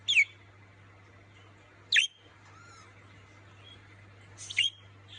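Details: Pet budgerigars, a harlequin male and a lutino female, give sharp, scratchy chirps about two seconds apart, calling earnestly to their companion.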